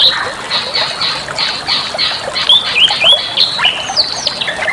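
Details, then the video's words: Bali myna song used as a master recording for training other songbirds: rapid chattering notes with short whistled upslurs and downslurs, some shrill and harsh, delivered almost nonstop, densest after the second second. "suara masteran burung jalak bali"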